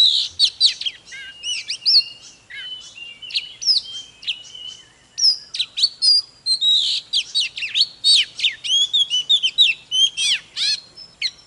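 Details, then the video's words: Oriental magpie-robin singing hard during a singing-and-dancing display. It gives a long, continuous medley of bright whistles, swooping slurs and chattering notes that speed up toward the end. "Chòe than HÓT MÚA || KÍCH LỬA || Kích chòe than hót căng"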